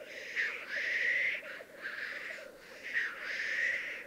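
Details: In 2022 on the Piedmont Alps, Italy, displaying black grouse males give repeated harsh hissing rushes, about four in four seconds, over a continuous gurgling coo.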